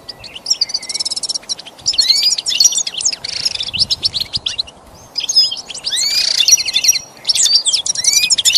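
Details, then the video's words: Goldfinch song for pet song training: lively twittering bursts mixing sharp chips, slurred whistles and buzzy trilled notes, phrases repeated with short gaps, faint hiss behind. "Teaching the goldfinch the art of song-advanced lessons in best chirps"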